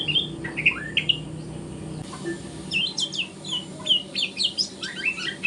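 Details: Juvenile white-rumped shama practising its song in the morning, giving rapid high chirps, upslurred whistles and scratchy notes in quick bursts, with a background hum that drops away midway.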